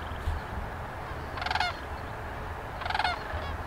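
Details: Sandhill cranes at a prairie homestead inn in Grantsburg, Wisconsin, giving two loud, rolling, rattling trumpeted calls about a second and a half apart over a low rumbling background.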